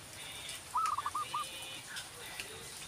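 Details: A tame young male zebra dove, over two months old, kept by hand, gives a quick run of five soft, rolling cooing notes in under a second, over a steady background hiss.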